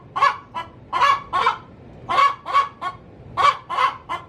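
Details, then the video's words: Hen cackling in her coop before laying an egg, loud harsh squawking notes in irregular clusters of two or three, honk-like bursts with quiet gaps between. "Suara asli ayam betina cocok untuk digunakan memanggil ayam hutan"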